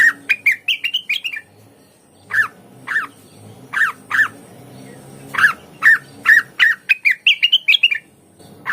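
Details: Blue-winged leafbird song. A fast warbled run opens, and after a pause come evenly spaced sharp downslurred chirps, then another quick rising warble. A faint low hum sits underneath.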